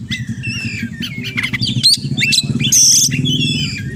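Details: Oriental magpie-robin delivering long, clear whistled notes and rising slurs among scratchy fragments, with a loud buzzy engine-like rumble underneath throughout.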